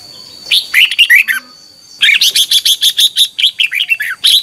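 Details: Red-whiskered bulbul morning song, "ché" voice, played to train and excite other bulbuls: a short warbled phrase, a pause, then a longer rhythmic run of about a dozen evenly spaced chirpy notes.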